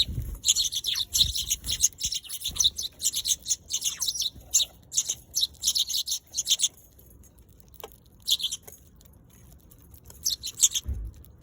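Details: Eurasian tree sparrow chirping in dense, rapid bursts of bright, high notes for several seconds, a short pause with a couple of isolated chirps, then another brief burst; one or two soft low thumps.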